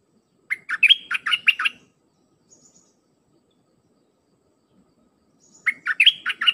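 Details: Two bursts of a red-whiskered bulbul's dense 'sap dok' song, used to train young birds: each burst is a quick chain of sweet warbled whistles, the second starting after a near-silent gap of almost four seconds.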